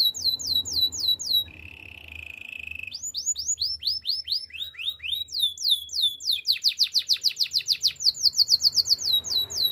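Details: Canary song for training young canaries: high repeated sweeping notes, a low rolling trill, then rapid tours of curved whistles accelerating into a dense, very fast rattling series.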